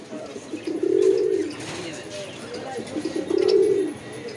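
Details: Pigeons cooing: two low, soft, rounded coos about two and a half seconds apart, each swelling and fading, over faint background noise.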